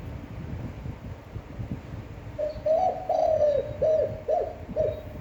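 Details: Standard cooing of a spotted dove with a long, appealing voice; after a quiet start, a phrase of roughly seven mellow coos, a couple slightly drawn out, then shorter clipped notes at a steady pace.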